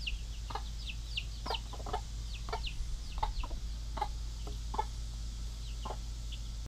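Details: Mother hens with their baby chicks, staying in the chicken pen while the other hens are out: high, thin, falling peeps from the chicks repeat through the clip, mixed with short low clucks from the hens, over a steady low hum.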